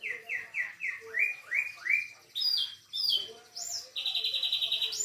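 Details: Canary tutored in an 'isian' style with phrases of cililin, katem, sogon and sikatan londo birds: quick run of downslurred whistles, then rising swept notes, high sharp slurs, and a steady buzzy trill at the end.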